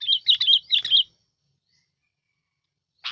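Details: A decoy sooty-headed bulbul sings a quick run of five chirpy, warbling notes, then falls silent before a single short note at the end.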